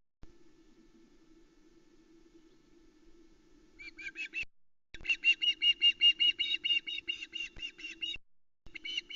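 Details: An osprey chick, alone on the Loch Arkaig nest at about 06:15 on 3 August 2020, gives rapid series of high, whistled chirps, two or three each second, in bursts. She is begging as the male delivers a small trout. A steady low electrical hum runs underneath.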